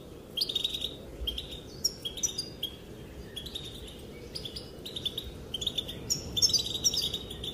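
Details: Female European goldfinch calling to males, which are said to dance in response: bursts of fast, high twittering and jingling notes in short phrases separated by brief gaps.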